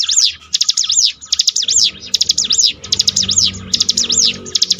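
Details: Bar-winged prinia, a mountain bird from Indonesia, singing for mental training: rapid high, thin arched trills in repeated bursts about every half second, loud and bright, with a faint low hum underneath.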